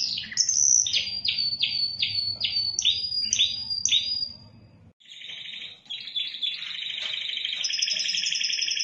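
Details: Indonesian Spanish timbrado canary singing rapid repeated falling notes for several seconds, a short pause, then a sustained buzzing roll and a high steady whistled tone; low hum behind the first part.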